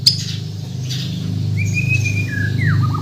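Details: White-rumped shama of Bornean stock from Kalimantan, in full 'gacor full isian' song: a clear whistled note held level around mid pitch, then a falling slur and short rising whistles, over a steady low mechanical hum.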